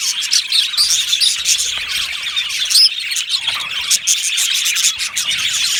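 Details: Chirping budgerigars from an aviary colony, rapid high tweets overlapping, with one sharp rising squeak close to the third second.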